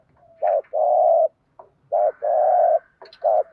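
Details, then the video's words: Spotted dove decoy bird giving 'thúc gù' urging coos meant to provoke other doves: low, hollow cooing in a short note then a long drawn note, the pair repeated twice about 1.5 seconds apart with a third starting, in a quiet setting. "tiếng chim cu gáy kích bổi"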